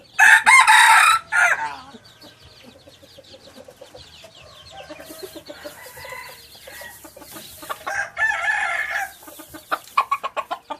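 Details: Hybrid red junglefowl rooster giving a loud, harsh, strained crow at the start. A softer second crow follows later, with scattered clucks and short chirps between and a faint low hum.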